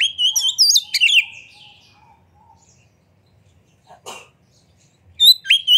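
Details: Oriental magpie-robin singing loudly with tail spread, a lure to make other birds sing: a rich whistled and warbled phrase, a long quiet stretch broken by a brief noisy rustle, then the song resumes.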